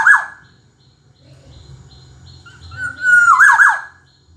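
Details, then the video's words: Black-naped oriole song, two mellow phrases: a clipped fluty end at the start, then after a quiet gap a drawn-out whistle rising into a rolling, twisting flourish. Faint repeated high chirps in the background. "Kicau Burung Kepodang Emas Gacor"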